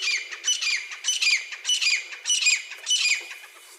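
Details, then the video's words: Grey francolin from the wild calling steadily: piercing, scratchy, high phrases repeated about every half second in a continuous rhythmic series, loud and close. "jangle teetar ki clear zabardasthi sound effect"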